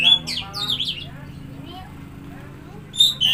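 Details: Oriental magpie-robin (kacer) song played as a lure to stimulate a silent or stressed bird: a short burst of bright, slurred whistles and warbles at the start, a quiet pause, then another brief whistled phrase at the end.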